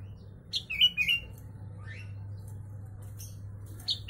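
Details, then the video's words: A sooty-headed bulbul sings with mimicked Javan myna song, used as a training song for Javan mynas and bulbuls. It gives a quick run of bright, chirpy whistled notes, then a pause and another short burst, over a steady low electrical hum. "Kutilang isian Jalak kebo"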